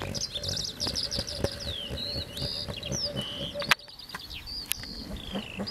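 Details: Eurasian skylark singing over fields in Las Kabacki nature reserve, 20 April 2021, pours out a fast, unbroken stream of high warbles, trills and slurred whistles, with low rumbling background noise.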